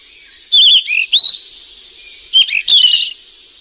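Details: Golden flycatcher, wild, tending its chicks: quick sequence of piercing chirps and curved whistles, two groups of rapid notes within a few seconds over steady high background buzzing.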